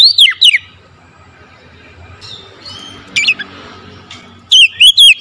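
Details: Oriental magpie-robin singing in the morning; loud bursts of clear, sweeping whistled notes at the start and end, separated by a quiet stretch with faint distant chirps.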